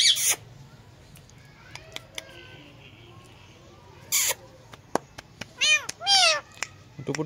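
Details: Caged Indian green ringneck parakeet on a cradle perch mimicking a cat's meow: after long quiet stretches with scattered clicks, a short burst of high, arching, harmonic meow-like calls near the end, with human voices in the background.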